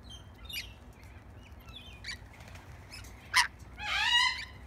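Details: A hand-fed backyard lorikeet, one of a few after a bread crust, gives scattered chirps, then a sharp, loud screech followed by a longer, harsh, buzzy call with layered overtones.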